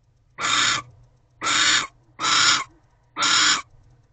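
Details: Harsh, grating barn owl screeches come in four even bursts about one per second, recorded at a nest box at night on 1 January as the pair mate and another owl intrudes nearby.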